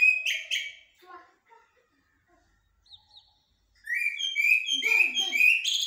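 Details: Common blackbird (jahmoumia) giving blacksmith and military style song: after soft scattered notes and quiet talk, a loud run of bright whistled phrases rises and ends in sharp high twitters.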